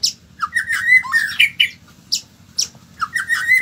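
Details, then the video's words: Harsh, squawky, varied phrases from a white-rumped shama, rough slurred notes running together in bursts, with short pauses and a loud scratchy note recurring about every half second. "BURUNG MURAI BATU"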